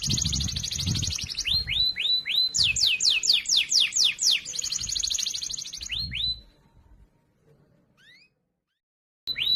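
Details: Loud, clear canary training song for teaching other canaries: rapid high trills alternating with repeated rising slurred notes and a fast series of sweeping notes, then near silence with two faint upward chips and a final burst.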